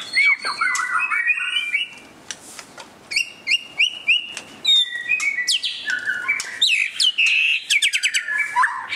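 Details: Display song of a white-rumped shama: flowing whistled phrases, quick repeated chips, sweeping slurs and a rich warble, sung continuously with brief gaps.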